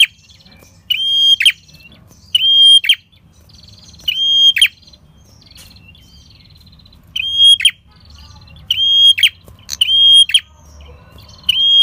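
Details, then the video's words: Red-headed prinia singing in an energetic, drawn-out style, used as a lure for trapping wild birds: loud, level, whistled notes, each ending in a sharp buzzy burst, repeated about every 1.5 seconds with soft twittering between. "Pancingan PRENJAK KEPALA MERAH Gacor Ngalun"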